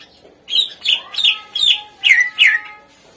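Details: Greater green leafbird singing to stir reluctant birds into song: six rhythmic, bright chirping notes, each slurring downward, evenly spaced about every third of a second, over a faint steady tone.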